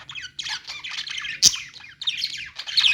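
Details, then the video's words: Budgerigars in a pet store give harsh squawks and fast chirping in clustered bursts, one loud sharp snap near the middle, with faint low hum behind. "budgies sounds | parakeet chirping sounds in pet store"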